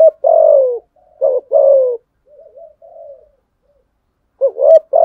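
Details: Spotted dove in fighting-coo style aimed at rivals: a long falling coo, a short note with another drawn-out coo, then gentle wavering quiet notes before a fresh rising phrase begins.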